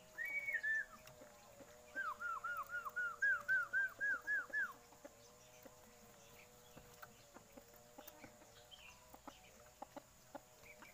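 Chinese hwamei gives a brief whistle, then a loud run of about nine looping, dipping whistled notes. Soft clicks and a steady electrical hum follow.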